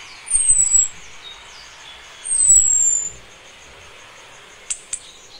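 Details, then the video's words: Breeding female Orange-headed thrush summoning a male: a pair of high, needle-thin whistles gliding downward about two seconds apart, then two soft ticks. "ANIS KEMBANG BETINA MEMANGGIL JANTAN"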